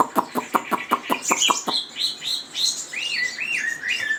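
Chinese hwamei singing: a fast run of about a dozen sharp clipped notes, then loud rich whistled phrases that rise and fall.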